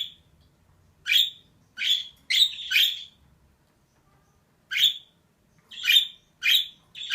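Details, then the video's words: A female budgerigar's raspy, scratchy chirps, delivered singly or in quick pairs, with a short silent pause in the middle and otherwise quiet surroundings. "DİŞİ MUHABBET KUŞU SESİ"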